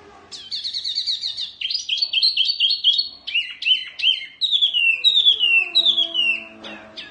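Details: Oriental white-eye song, fierce in style and used for tutoring birds. A long, dense run of high, sharp downward-sliding chirps spills into a chattering sequence that gradually drops in pitch.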